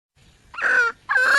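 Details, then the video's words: Wild junglefowl hen calling for a mate: two drawn-out, squawking notes that drop slightly in pitch, separated by a short gap. "le bruit d'une poule sauvage,เสียงไก่ป่าร้องหาถู่หาตัวผู้,ສຽງໄກ່ປ່າຮ້ອງຫາຄູ່ຮັກ, poj qaib qus see"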